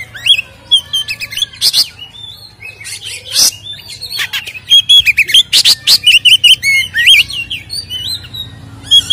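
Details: Lure recording of an Oriental magpie-robin singing a full, aggressive fighting-type song to make other magpie-robins agitated. The song is long and varied: sweet slurred whistles, chattering clicks and a fast series of sharp repeated notes toward the end.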